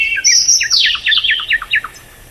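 A tailorbird gives a quick run of about ten sharp, high chirps, each sliding downward, delivered at a brisk, even pace over a quiet background.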